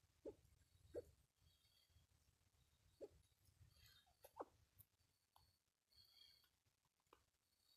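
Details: Mikado pheasant, a protected species seen in mist, giving soft, low, murmuring clucks, single or paired notes at uneven intervals, with faint high chirps of other birds behind.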